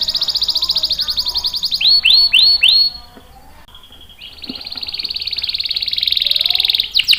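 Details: Canary song for luring and tutoring young and stalled canaries: a rapid pulsed roll, four loud swooping downward whistles, a quiet gap, then a long, smooth, buzzy high roll ending in a sharp note.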